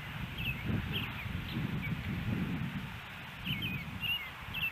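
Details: Osprey at a nest in Hellgate Canyon, Missoula, Montana, May 16, 2018, heard on a nest camera: short, high, slurred chirps in small bursts at the start and end, over constant low-pitched background rumble.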